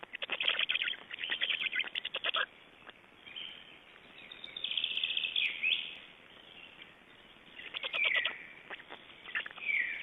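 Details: Black storks in Estonia, 29 May 2012, at the nest during feeding and changeover; short bursts of rapid rattling pulses with long quieter stretches between them, plus a few drawn-out wheezy notes.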